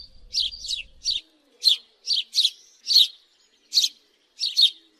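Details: Sharp, scratchy chirps from a house sparrow, given singly or in doubled pairs at uneven intervals of roughly half a second to a second, with silence between notes.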